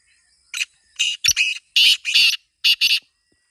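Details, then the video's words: Kala teetar, or black francolin, gives harsh buzzy notes in a rapid sequence with doubled bursts near the end, as a calling formula for a kept bird that will not call. "Kala Teetar Awaaz Kholne Ka Tarika | Black Francolin Calling Formula"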